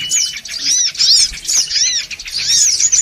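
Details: Short burst of noisy songon otong lure calls. Distinct downward-curving whistled notes and high chirps come in clusters, with brief dips in loudness between them.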